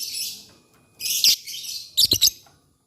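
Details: Lovebirds singing in the morning, trading calls. A hissy, high chatter is followed by a loud rasping burst, then three quick sharp squeaks.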